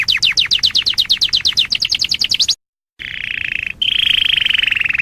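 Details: Canary of a distinctive breed singing: rapid repeated downward-sweeping chips, a brief cut to silence, then a steady buzzy trill at a lower pitch that steps up and continues evenly.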